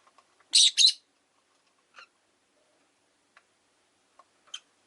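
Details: Rosy-faced lovebirds, five pet birds kept in a cage beside a window, give a pair of loud, harsh, buzzy chirps in quick succession, then a few faint short calls and a final sharp squeak.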